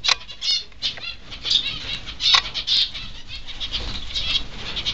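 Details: Restless Peaceful Doves flapping around an aviary, heard as loud, irregular bursts of broadband wing noise, strongest near the start and middle, over faint background chirps from small finches.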